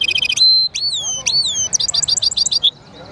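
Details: Hybrid European goldfinch mule in song: a quick high trill, then clear down-slurred whistles, followed by a rapid run of bright chirping notes that ends abruptly.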